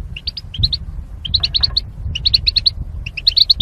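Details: Caged goldfinch, kept as part of a mating pair for singing training, gives rapid strings of bright chirps in four bursts of paired notes, with soft low background noise.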